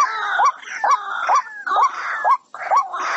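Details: White-breasted waterhen trapping-lure calls, upward-curving croaks every half second or so, overlaid by a strong rasping background sound.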